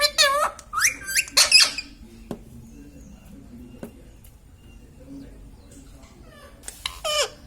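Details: Indian ringneck parakeet, a talking pet, produces a cluster of high, squeaky imitated-word syllables at the start and another short squeaky phrase near the end, with light clinks and quiet room noise between.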